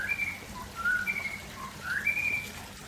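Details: White-rumped shama of the Aceh type, heard in the afternoon, giving a few clear whistled phrases. The notes slide and sit at a steady pitch, with short pauses between them, over a soft background hiss.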